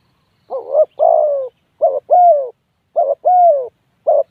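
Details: Spotted dove calling in quick succession, with three full two-part coos and the start of a fourth. Each has a brief lead note and a sustained, softly descending second note.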